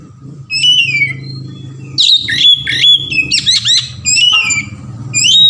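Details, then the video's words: Lure song of an Oriental magpie-robin in 'ngeplong' variation style: a falling whistle, then busy sequences of upslurred chips, scratchy notes and clear whistles, closing on a rising whistle, above a soft low hum. "SUARA KACER NGEPLONG VARIASI | PANCINGAN KACER"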